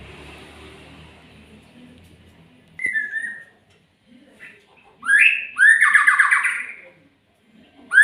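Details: Murai, or magpie-robin, song rising out of background rustle: a short clear whistle, then louder phrases of swooping upslurs followed by quick buzzy trills.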